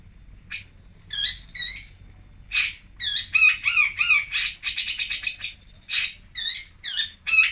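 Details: Singosari long-tailed shrike, or pentet, in a varied song of scratchy chatter, short rising-falling whistled phrases and quick trilled bursts, strung together with brief pauses.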